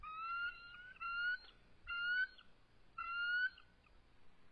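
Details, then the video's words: Eagles defending their nest against an adult intruder, March 23, 2014, around 7:44 pm. Four strong, slightly rising whistled calls, each about half a second long, follow one another with short gaps, with faint rasping between them. "Intruder Invades the Nest - Territorial Dispute"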